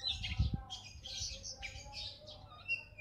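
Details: Oriental magpie-robin, called kacer bagong, singing a varied run of sweet whistles, chattering trills and bright notes, with a dull low thump near the start.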